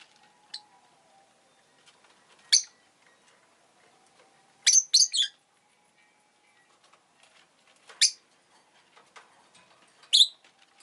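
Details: Shrill, rasping chirps from a rosy-faced lovebird, spaced irregularly: isolated sharp notes, a cluster of three harsh calls in quick succession, then two more single chirps, over a quiet background with faint clicks.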